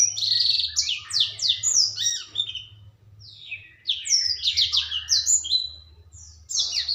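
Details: Juvenile black-throated canary singing loudly with pleasing phrasing: rapid high chirps and steeply sweeping notes in two long bursts, roughly three notes a second, separated by a brief quiet gap, over a faint low hum.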